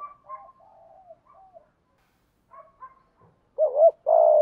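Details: Spotted dove cooing to attract wild doves, thổ pha đồng voice: faint distant warbling notes at first, then a loud double-humped coo and a sustained throaty coo at the end.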